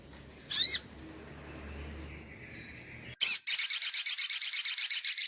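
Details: Actively singing Crimson Sunbird, a tutor recording: one high wavering chip, a pause, then a loud sharp note launching a long fast trill of about fifteen evenly repeated high notes.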